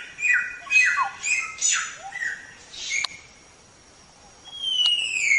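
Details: Black-throated Laughingthrush on a songbird training recording: a series of falling whistled notes, a pause, then a clear, slowly falling whistle.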